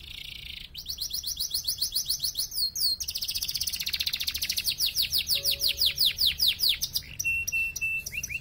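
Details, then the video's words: Three yellow Belgian canaries singing loudly: dense, fast trills of sharply descending notes, switching between rhythms, with a short low tone and a steady high whistle late on. "Canários cantando, três canários amarelos contando."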